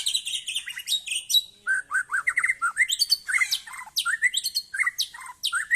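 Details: White-rumped shama, Aceh type, singing hard in a contest: a loud, fast, varied song of high chattering notes and lower whistled slurs, delivered in quick bursts with barely a pause.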